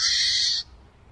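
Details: A single brief, hoarse hissing screech from a barn owl, lasting just over half a second and stopping abruptly.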